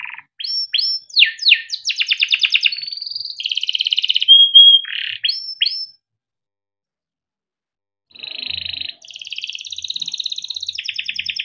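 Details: ['Male yellow canary kept in captivity sings a long tutor song: swooping chirps, buzzy trills and one clear held whistle, then about two seconds of silence before another run of fast rolling trills.']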